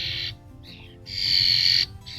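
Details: Fledgling European starling visiting a backyard birdbath in summer to drink, panting to cool off: harsh hissing screechy calls, a long grating one about a second between shorter rasps, faint low rumble; Common starling.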